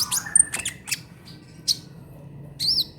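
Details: Brown-throated sunbird singing in the trotol style, meant as tutor song for cage birds: a few sharp high ticks and squeaks, a pause, then a short wavering whistled phrase.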